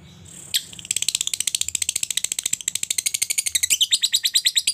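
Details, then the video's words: Lovebird ngetik leading into ngekek, the long trill used to spur other lovebirds into song; a sharp opening note, then a fast, steady train of high rattling pulses that grows louder toward the end. "Lovebird ngetik sambung ngekek mantap ‼️, terbukti ampuh merangsang Lovebird cepat bunyi dan ngekek"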